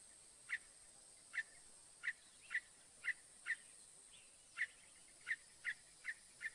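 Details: Northern mockingbird singing: a steady series of short, bright chirped notes, repeated roughly every half second to second, with brief pauses between groups, against a quiet background.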